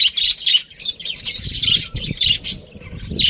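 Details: Pet budgies give lively high chirps and squeaky warbles in quick bursts, with faint low knocks underneath.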